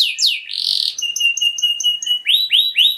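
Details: Luxury-song canary used as a lure for other canaries: swooping downslurs, a harsh buzzy burst, a row of thin ticking notes over a steady whistle, then three loud rising swoops.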